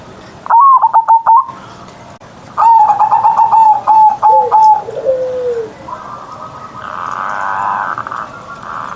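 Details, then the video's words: Caged zebra dove singing loudly in the morning: a short burst of rapid coos, then a longer rolling series of coo notes sliding into low drawn coos, with faint background noise afterward. "Perkutut Manggung Gacor Suara Besar"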